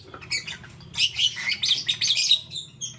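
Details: Green, yellow and lutino lovebirds, morning: busy, squeaky chattering of harsh high chirps in quick succession, over a steady low hum.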